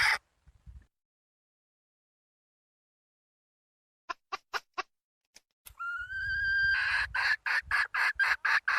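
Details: After near silence and a few scattered clicks, a red junglefowl hen gives a rising whistled note that turns into a run of rapid, rough clucks.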